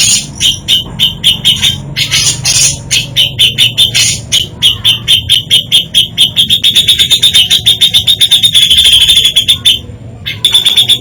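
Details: Grey-cheeked bulbul delivering varied isian fill-in song: loud, regular high notes repeated several times a second, blending into a rapid trill and a sustained high-pitched stretch, then one brief gap before the notes resume.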